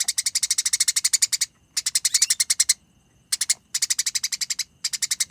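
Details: Eurasian tree sparrow in fighting mode, producing clear, dense konslet chatter: loud trains of harsh pulsed notes about twelve per second, in bursts of roughly one second split by brief silent gaps.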